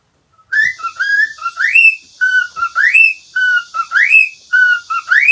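A cockatiel whistles a looping song of clear notes, steady mid-pitched tones broken by quick upslurs, roughly one phrase a second.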